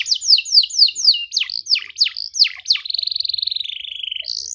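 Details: Song of a canary, used as a lesson for young canaries learning to sing: rapid repeated swooping whistles, slower deep-dipping notes, then a long, even, buzzy trill and a final high note.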